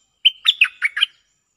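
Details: Decoy Cream-vented bulbul replying to a resident bird: five quick, liquid chirps strung along a thin sustained whistle, starting with a clear higher note, in a phrase under a second long.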